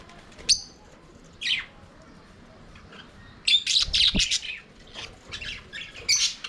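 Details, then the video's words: Budgies in an aviary, singing and playing: scattered sharp, high tweets at first, then a busy cluster of overlapping chirps and twitters toward the end, with a short low knock in the middle. "Budgies singing and playing in their Aviary"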